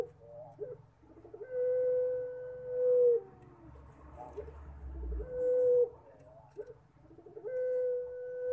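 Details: A captive puter pelung collared dove coos three times, its voice likened to a person crying; each phrase opens with short stuttering notes, then swells into a long, low, steady coo, about every three seconds.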